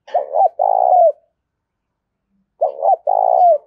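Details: Loud urging song of a tame decoy spotted dove, Đồng Nai countryside, Vietnam: a quick two-part rising lead and a long throbbing coo dropping at its close, given twice about two and a half seconds apart, nothing else audible.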